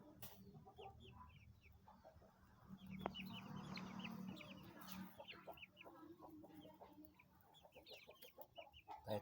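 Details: Nine chicks about 20 days old, giving a steady stream of thin, high peeping notes, many overlapping, with loud clattering and scuffling sounds and a low background hum.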